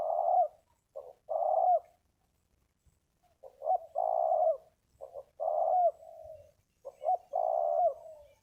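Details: Big-voiced wild spotted dove calling to a ground decoy, repeating a three-part phrase four times: a short note, a stutter, then a long rolling coo. The gaps are fairly even.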